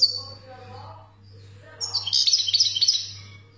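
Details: European goldfinch from Algeria, wild-caught type, singing a late burst of bright, rapid twittering notes after a quiet start with faint murmuring and a steady low hum.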